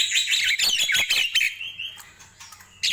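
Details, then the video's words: Morning song of a Nias hill myna: a rapid burst of harsh, chattering chirps for over a second, then a long, level whistled note held about half a second, a short quiet gap, and a final squawk. "Ramainya Kicau Jalak Nias di Pagi Hari"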